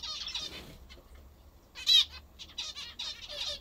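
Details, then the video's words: Zebra finches eating a favourite food call loudly with short harsh nasal notes in clusters, broken by a brief quiet gap, then one strong beep and more chattering bursts. "mandarins (zebras finch) a comerem o que adoram"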